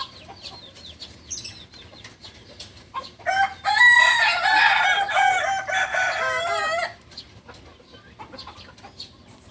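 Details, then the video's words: A beginner Balenggek cock, native to Solok in West Sumatra, delivers a loud, sustained crow of roughly three seconds. It has wavering, rich syllables that step along before breaking off abruptly, with scattered clicks and faint background calls around it. "Ayam kukuak balenggek PEMULA ayam asli solok sumbar"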